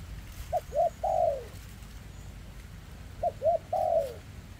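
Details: Spotted dove, a captive bird with a leg defect, recorded in 2024, cooing in the very thick style called rước. Two phrases, each of two short hooked coos and then a longer coo that slides downward, with steady low background hum.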